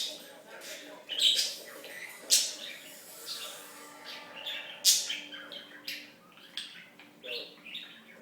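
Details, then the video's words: Pet budgerigar known as a talker, 2007 to 2016, giving bursts of rasping, high chirpy chatter broken by loud sharp squeaks roughly every second or two, indoors with a soft low hum. "The Talking Budgie"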